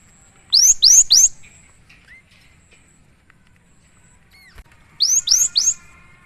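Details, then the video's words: Cinereous tit, a lively singing bird, gives a triplet of bright upslurred whistles. A few faint short notes follow, then a second identical three-note phrase about four seconds later. "suara burung gelatik batu"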